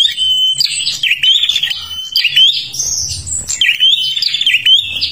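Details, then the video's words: Kalimantan prinia singing vigorously as a lure for other birds: a steady high whistled note gives way to fast chirping and buzzy twitters, then a dip near three seconds before another run of shrill phrases. "perenjak kalimantan gacor untuk pancingan"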